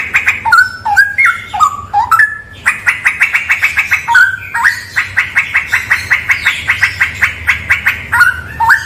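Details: Loud straw-headed bulbul song in a cave said to be haunted, opening with gurgling, stepped whistles that jump up and down, then a long, even volley of crisp repeated notes with occasional fluty dips.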